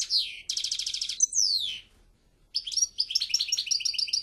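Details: Goldfinch singing: a fast buzzy trill, then a bright downward-sliding whistle, a short pause, and a lively stream of repeated chirping twitters.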